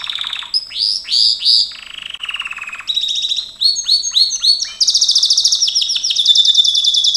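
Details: Singing Gloster canary recorded for training: loud rising whistles and a short low trill, then clusters of crisp high notes and a long, steady, high-pitched rolling trill to the end.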